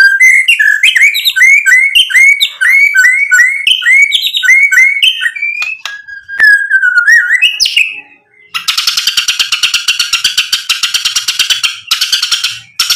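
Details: White-rumped shama song for provoking rivals to answer: a rapid series of repeated rising whistled slurs, a few level whistles, then a long harsh buzzing rattle to the end.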